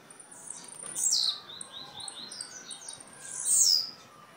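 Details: Blue-black grassquit in Jacarepaguá, Rio de Janeiro, Brazil, giving two high, buzzy, sharply downslurred bursts about two seconds apart, with faint thin high notes between them.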